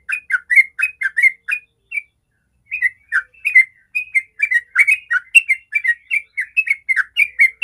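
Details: Yellow-vented bulbul (trucukan) in rapid 'ropel' style song, used as a lure to make other bulbuls sing: loud, clear whistled chirps and short warbled phrases in quick succession, one brief pause, then a dense run of notes.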